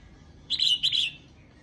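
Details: Calling song of a female red-whiskered bulbul, used to excite males: one clear phrase of two slurred, warbling whistled notes, with a short break between them.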